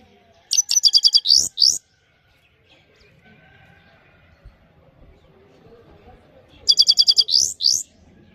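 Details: Bright high song of a Himalayan goldfinch, sung clean as a training song: a quick run of repeated chirps ending in rising slurred notes, silence, then the same phrase again.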